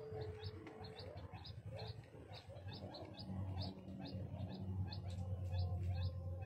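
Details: Crested fireback chick giving soft, high, short peeping notes, about three or four per second and fairly steady, over a continuous low rumbling background.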